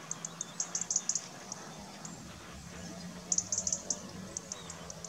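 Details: Black redstart calling: bursts of very high, short ticking notes in quick clusters, one group in the first second and another after three seconds, with scattered single ticks between, over a low steady hum.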